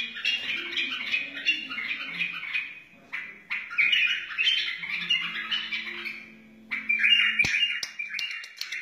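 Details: A wild white-eared bulbul delivers rich, chattering whistled phrases in several bouts with short pauses. The song is used to teach chicks and encourage other bulbuls, with a faint low hum in the background.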